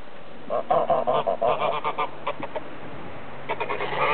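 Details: Domestic geese, with sheep, honk in a noisy, overlapping chorus of nasal calls, several per second with brief pauses, rioting for their feed on a croft at about 8:30 am on 20 March 2008, the first day of spring; a rooster crows in another barn and a red-winged blackbird sings in a willow.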